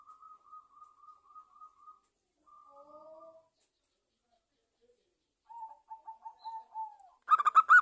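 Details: Lively local zebra dove song, played as a lure to prompt other doves to call: a row of even, soft cooing notes, a pause, lower coos, then a quick falling run ending in a harsher burst.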